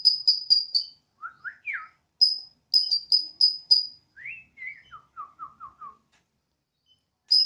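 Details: Borneo White-rumped shama kept at home, singing with zeal on a terrace in a siren-like manner. Bursts of very high, thin repeated notes alternate with lower rising whistles and a falling run of short slurred notes.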